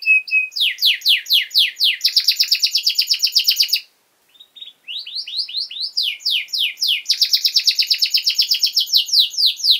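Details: Long-running canary song played to teach young birds: a brief whistle, then fast repeated trilled tours, a short silent gap, and renewed rising chirps building into another dense rapid trill.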